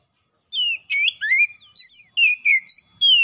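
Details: Caged oriental magpie-robin starting to sing after a brief silence, producing bright, varied whistled notes with rising and falling slurs in quick succession.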